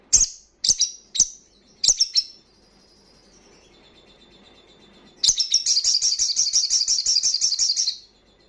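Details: Crimson sunbird in fast wild-style 'ngalas' song, played to raise breeding condition and aggression in untrained birds: several separate sharp high chips, a quiet gap, then a long, rapid, very high trill lasting nearly three seconds.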